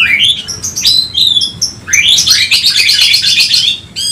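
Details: Agitated Oriental magpie-robin seeking a rival, singing varied whistled phrases that merge into a dense, buzzy high chatter lasting several seconds.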